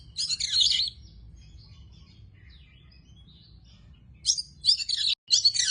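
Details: Tame Oriental magpie-robin singing in short high bursts of rich, scratchy warbling notes, with a quieter stretch of thin whistles between them, then several sharp bursts close together near the end.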